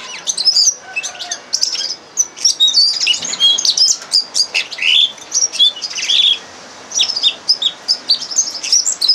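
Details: Song of a red crossbill used as a tutor for captive birds: bright, high chirps and short whistled flourishes in quick bursts, with brief breaks between phrases.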